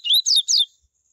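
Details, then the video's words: Closing part of a tui tui coleiro phrase meant to stimulate other coleiros: three fast high buzzy notes, each sweeping downward, then silence. "COLEIRO tui tui A MELHOR CAMPEADA para ESQUENTAR COLEIROS"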